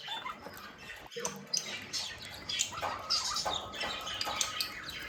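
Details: Budgies, said to be happy and playing, twittering softly in high rapid chirps and squeaks at moderate distance, with a constant background hiss.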